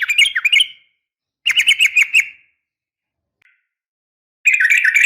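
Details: Female sooty-headed bulbul calling a male, a fighting call meant to provoke a reply; three short bursts of quick, tumbling chirps separated by gaps of silence.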